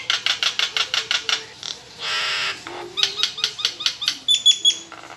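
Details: Caged Nias hill myna in full varied song, used to prompt other birds to sing: a rapid series of harsh rasping notes, a drawn-out hiss, then clipped chirps and a few clear high whistles.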